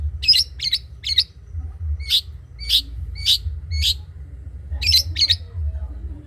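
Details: Long-tailed shrike, cendet trotol style, kept as a master recording for training other birds: high harsh chattering notes in twos and threes, then evenly spaced sharp single notes, over a low droning hum.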